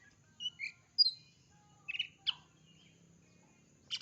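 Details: Oriental magpie-robin giving a short burst of song: two high whistled notes, then a sharp bright whistle, a pair of harsh clicking notes around two seconds and a final scratchy note; quiet background with faint low hum.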